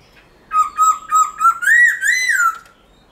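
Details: Black-throated laughingthrush giving a forest-style phrase: about six quick whistled notes that climb steadily in pitch and swell in volume, ending in a long, arched whistle.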